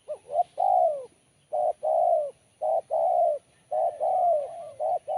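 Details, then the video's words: Spotted dove with a sharp, crisp voice singing repeated coo phrases, each a short note followed by a longer drawn-out coo, about four phrases in five seconds, loud and clear. "Suara Mersik Tajam"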